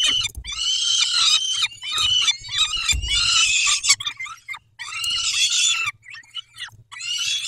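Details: Peregrine falcons at Dobra during a feeding, 11:48 on 19 May 2021: loud, rapid, harsh chattering wails in bursts of about one to two seconds, with brief pauses and low bumps.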